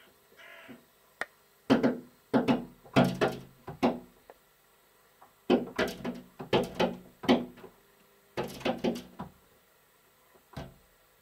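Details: A carrion crow knocks on a balcony door on Whit Monday 2017, waking the residents. Sharp, hollow raps come in quick bursts of three to five, with short pauses between.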